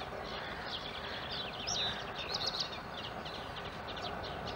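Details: Eurasian coot chicks, partly in the nest and tended by their parents, at the Schützenweiher pond in Winterthur, recorded on a Canon R5. Thin, high squeaky peeps rise and fall in short bursts over a steady hiss of background noise.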